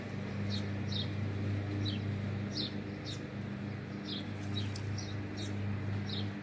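American robin nestlings give thin, high peeps, several a second in an uneven stream, over a steady low hum.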